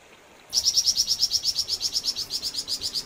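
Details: {'caption': 'A flamboyan bird sings actively, starting abruptly into a steady, fast trill of high, sharp chirps that runs without a break for over two and a half seconds.'}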